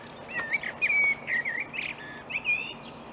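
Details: A marsh warbler sings in reeds early on a May morning in 2020 at Upplands Väsby, Sweden: a quick, varied run of high chattering, twittering and whistled phrases over a steady background hiss.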